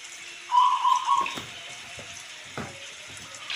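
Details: Local zebra dove giving a single loud, quickly stuttered cooing phrase lasting under a second, followed by rain and scattered dripping water sounds.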